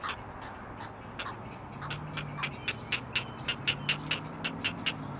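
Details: Great blue heron chicks, four on a Chesapeake nest filmed by a live cam, call to their mother; soft murmuring opens, then a crisp series of short clacking notes builds in the second half.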